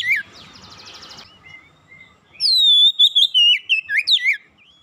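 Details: Oriental magpie-robin singing as a lure for a silent bird; a buzzy rattling passage and soft notes, then a loud phrase of clear whistles dropping in steps with sharp upward flicks.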